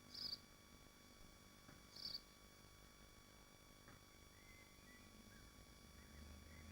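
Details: Nesting swifts in Machynlleth, Wales, Dyfi Biosphere, on a nest camera stream: two harsh high screams near the start, then only low hum and faint background noise.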